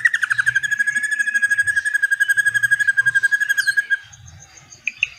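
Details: Drongo song with cililin-style long 'shooting' phrases, played as training material for white-rumped shamas. A rapid, even, buzzy trill holds one mid pitch for about four seconds, then breaks off into a few short high notes.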